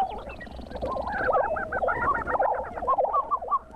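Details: Lesser prairie chickens near Buffalo, Oklahoma, in the Southern Great Plains, recorded in 2009: several birds overlap in a dense chorus of warbling, looping cackles and yelps, with faint higher chirps above.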